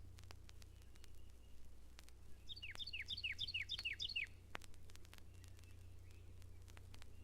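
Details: Red-bellied Woodpecker, the most common woodpecker at Mountain Lake Sanctuary, Lake Wales, Florida, among big trees: a quick burst of about eight sharp, downslurred chirps in two seconds, over a low steady hum and scattered clicks.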